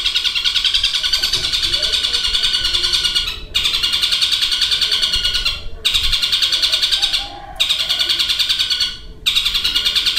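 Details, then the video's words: Caged long-tailed shrike mimicking a lovebird's long chatter among other copied birds; dense, buzzy rattling trills held for about three seconds at a time, separated by short silent gaps. "Suara Burung Cendet Materi Kombinasi Tengkek Buto Kunti Gereja Tarung dan Lovebird Ngekek Panjang"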